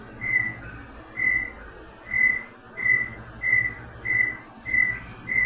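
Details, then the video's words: Inhambu-guaçu, or brown tinamou, singing its longer song: a run of loud, pure, level whistles repeated about every half second, steady in pitch, with soft background noise between the notes. "E essa espécie tem um canto mais longo, né, e mais característico. Vamos ouvir o canto do Inambu Iguaçu. Olha"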